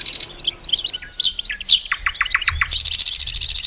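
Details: European goldfinch hybrid in a rapid twittering song: high tinkling notes, then a run of evenly spaced short chips, ending in dense buzzy trills.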